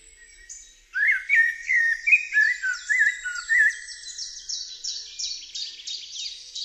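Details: Eurasian blackbird (Turdus merula) song: a sequence of clear, mellow whistled notes repeated about every half second, rising and falling, then a rapid run of sharp high notes, some repeated.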